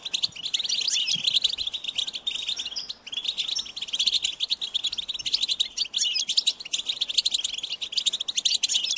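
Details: Hungry goldfinch chicks begging parents for food, giving high, insistent chirps in fast continuous runs, with a brief lull near three seconds before the clamour resumes.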